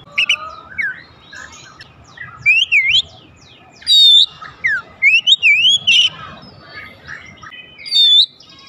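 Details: Magpie-robin song meant to provoke other magpie-robins into singing: varied whistled notes, some sweeping down and others rising in wavy slurs, given in irregular bursts with brief silences and a soft low hum beneath.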